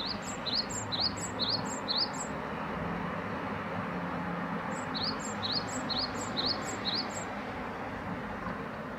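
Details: Great tit singing brisk repeated couplets, a high pip then a slurred upward whistle, in an opening run of about three seconds and a later shorter run, against continuous low background noise.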